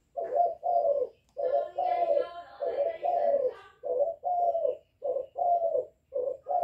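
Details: Young spotted dove calling and bowing-cooing to provoke wild doves: rapid low double coos throughout, overlapped early by a brief higher harmonic, voice-like sound.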